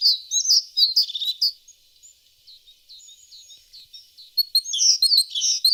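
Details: Bursts of high, thin tit song open and close the passage, with a quieter stretch of faint, scattered notes between them.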